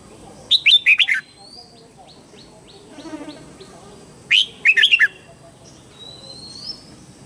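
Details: Morning song of a red-whiskered bulbul used for training young birds: two bursts of rich, warbled whistled phrases, each about a second long, separated by quieter pauses with faint chirps.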